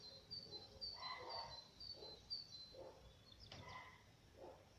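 A male black redstart gives thin, high-pitched calls in short runs. Low, soft croaking sounds pulse about once a second beneath them.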